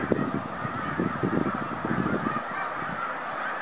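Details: Snow geese heading home on migration in 2013, a dense stream of short honks repeated rapidly through the first two and a half seconds, then a steady background murmur.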